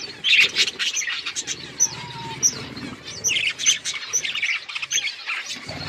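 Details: Budgerigars eating in a flock, busy overlapping chirps, short whistles and squawky chatter throughout, with faint low rustling.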